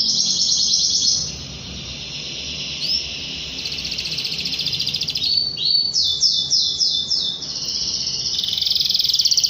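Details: Rolling canary song intended to call a rival and set young canaries chirping; high buzzy trills alternate with a slurred upward note and a short burst of descending swept whistles.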